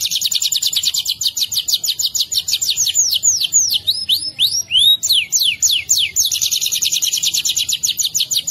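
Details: Singing canary giving a long 'ngerol' rolling song, recorded as training master for songbirds: opens with a very fast buzzy trill, breaks into high looping downslurred whistles, then returns to the rapid rolling trill.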